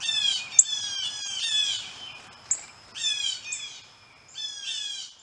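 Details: Blue jays arriving at a birdbath, giving harsh, harmonic calls that slur downward, delivered in quick bursts of two or three notes with short pauses between groups.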